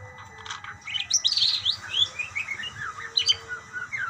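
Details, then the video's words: Budgerigars calling to one another in continuous warbling chatter of rising and falling chirps and whistled notes, steady throughout with a faint low tone in the background. "burung parkit bersautan"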